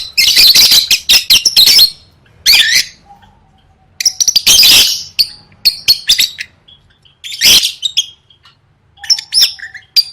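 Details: Lovebird in lively 'gacor' singing, recorded as training material for gantang singing competitions; harsh, buzzy chattering bursts in rapid runs, separated by short pauses, with a few thin squeaks between phrases.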